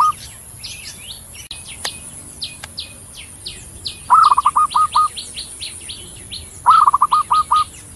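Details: Javan zebra dove song. A cut-off phrase opens, then two full phrases, each a purring coo trailing into five or six clipped, even notes. A busy chorus of high chirping from other birds fills the gaps.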